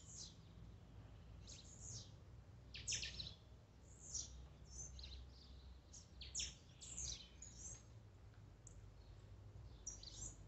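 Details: Blue-black grassquit song meant to rouse a kept bird: a busy series of high, thin downward-slurred buzzy notes, some doubled, repeated irregularly through the recording over a constant low hum.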